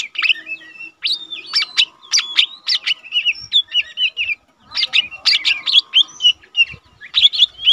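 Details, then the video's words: Tutor recording of a caged, untrained lesser green leafbird that sings diligently. Dense bursts of high, twisting whistles and sharp chips in two long phrases with a short pause midway. A faint steady hum sits underneath. "cucak ijo mini bahan udah rajin bunyi"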